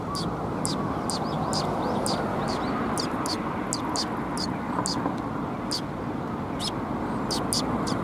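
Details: Sparrows coming to a Tenmangu shrine to be fed on 28 January 2021 give short high chirps at an irregular, quick pace over a loud, steady low rumble of traffic or aircraft.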